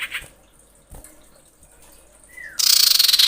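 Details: Female common iora calling the male: a short descending whistle, then a loud, dense, buzzy rattle of rapid chattering notes near the end, with faint scattered ticks earlier.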